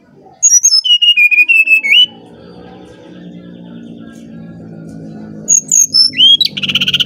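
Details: Brown-chested jungle flycatcher from Bali singing flute-like as a lure: a descending series of clear whistles, a low humming background, then a second phrase rising into a buzzy trill.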